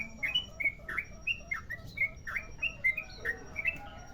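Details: Merapi sooty-headed bulbul singing its long rolling lure song: clear whistled phrases, rising and dropping slurs, repeated in a lively rhythm over a quiet background.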